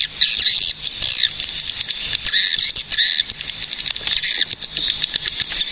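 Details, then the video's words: Swiftlet calls recorded in Cilacap, Central Java, used to lure swiftlets: dense, high, buzzy chattering twitters in loud bursts of about a second, nearly continuous, with brief gaps between phrases. "SUARA BURUNG PANGGILAN WALET GACOR"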